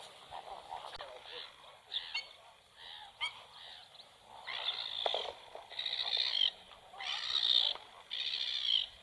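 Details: Black-winged stilt at a nest with two newly hatched chicks and one egg still unhatched, the chicks already feeding alone; scattered soft notes give way to loud, nasal, yelping calls in drawn-out bursts, about one per second near the end.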